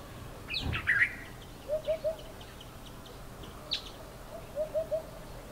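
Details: African hoopoe calling from powerlines in the morning: soft, low, hollow 'hoop-hoop-hoop' triplets, evenly spaced and repeated about three seconds apart, ending with one four-note phrase; a brief sharp chirp and a click come between.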